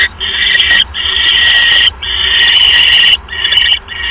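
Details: Owl at the nest during an evening prey delivery of a mouse, 1 January 2015. Drawn-out harsh, hissing screeches, each about a second long, separated by brief breaks.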